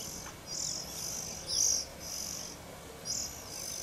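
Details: Nest scene of an Oriental magpie-robin feeding its young, camera mounted high above; five high, hissy bursts come in quick, uneven succession, the middle one loudest.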